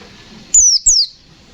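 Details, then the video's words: White-eye, a fighter-style bird in full voice, giving two high, thin descending whistled notes in quick succession, each sliding downward and lasting about a quarter second, against a quiet background. "Suara burung pleci Gacor fighter Ngalas nembak, Sobek sobek"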